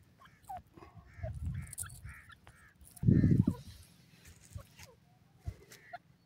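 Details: A francolin, known locally as dakhni teetar (Pakistan), gives a quick run of six harsh nasal notes, then a single note later, with a heavy low thump and rumbling noise in between.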